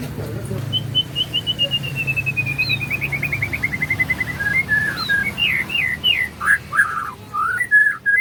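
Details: Murai singing a lively 'isian' song on a morning: a long rapid trill of notes sliding slowly downward, then varied loud whistled phrases that rise and fall in quick succession.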